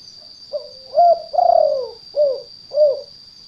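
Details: Trapping lure recording of a spotted dove, meant for gardens and paddy fields: a quiet opening note leads to a rising double coo, a long sliding descending coo and two clipped final coos, with a constant high whine behind.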